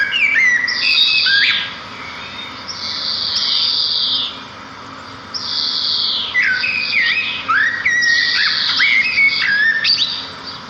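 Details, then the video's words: Sparrows singing in nature: loud, bright phrases of high buzzy notes and slurred, stepping whistles, separated by short pauses, with a faint steady low hum underneath. "صوت العصافير في الطبيعة"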